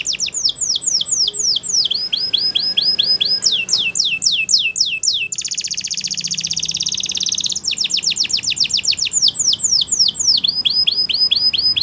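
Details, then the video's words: Waterslager canary training song: rapid series of descending whistled notes high in pitch, changing to a dense buzzy trill around the middle, then more fast repeated downslurred notes. "Waterslager Canary training Songs"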